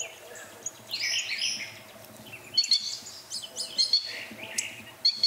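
Northern Cardinal giving sharp, high, metallic chips in irregular bursts, over a hissy outdoor background with a brief rushing noise early on.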